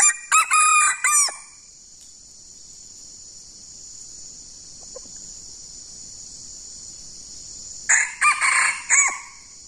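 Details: Wild junglefowl lured with a decoy, two birds close together: two short harsh crows, each a quick run of stuttering syllables, one at the start and another about seven seconds later, over a steady high insect drone.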